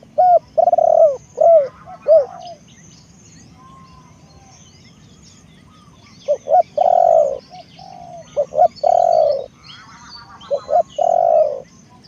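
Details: Spotted dove kept as a lure for wild doves, repeating hollow coo phrases with rolled notes, a quiet pause of several seconds between bursts, and faint high chirps from other birds throughout.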